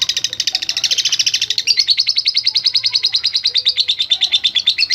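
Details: Lovebird ngekek, a long chatter meant to spur other lovebirds into singing: a fast, harsh stream of high clicking pulses, about eight per second, continuous and loud throughout, with a few faint softer notes underneath.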